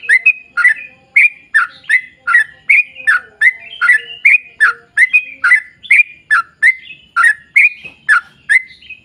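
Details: Energetic 'ropel panjang' song of a yellow-vented bulbul, played to lure others of its kind into singing, with rapid clipped chirps roughly two and a half per second in an unbroken run and a soft hum beneath.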